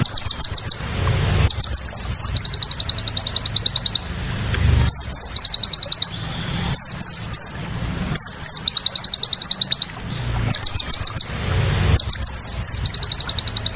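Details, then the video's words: Crested jay, called sogon, in a 'tembakan' (rapid-fire) style for training cage birds: rapid high rattling trills and sharp downslurred notes in bursts every few seconds, with a low rumble underneath. "masteran burung sogon tembakan sadis"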